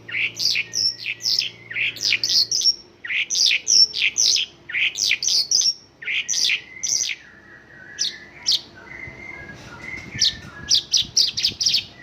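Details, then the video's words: Mongolian lark with a song of local-style phrases: bursts of sharp, clipped chirps in quick clusters, then a few drawn-out whistles near the middle, followed by more chirp clusters, recorded indoors with low hum. "Mongolian lark isian lokalan"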